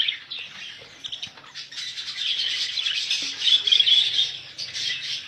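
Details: Budgerigars for sale chatter in a fainter, scratchy warble that builds into a louder burst of rapid squeaky chirps toward the end.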